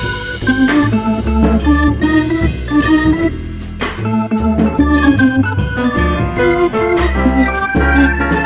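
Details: Organ music plays throughout with steady chords and a melody, and no animal sounds.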